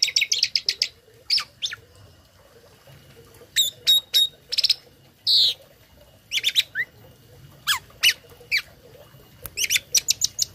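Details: Tame Asian pied starling performing imitation fills meant to tutor other birds: scattered bursts of sharp high chips and short trills separated by quiet gaps, with one brief buzzy note mid-way.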